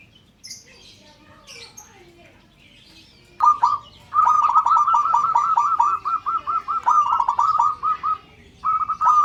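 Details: Local zebra dove calling to trigger others into calling, breaking into a long, unbroken run of rapid, rhythmic, bubbling coo notes lasting several seconds, after scattered faint chirps from other birds.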